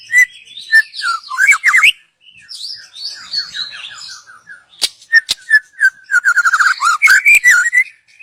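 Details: Young forest white-rumped shama, wild, song used as a lure for other birds; rich whistled phrases with rapid slurred up-down notes, brief pause, then a fast run of repeated whistles and clicking sounds.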